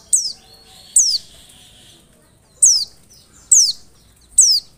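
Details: Oriental white-eye used as a lure to make other white-eyes reply: five shrill, downward-sweeping notes, the first two close together, then a pause before three more about a second apart.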